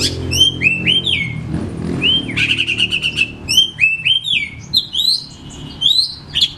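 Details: Oriental magpie-robin (Copsychus saularis) singing a rich, varied stream of clear whistles, sweeping slurs and rapid chattering phrases over a faint low hum; a recording played to prompt reluctant caged magpie-robins to sing.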